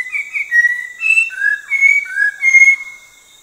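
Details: An orange-breasted laughingthrush of the Langbian Plateau in southern Vietnam whistles a varied sequence of sustained notes that step up and down in pitch, ending with a long level whistle. A faint high hiss runs behind.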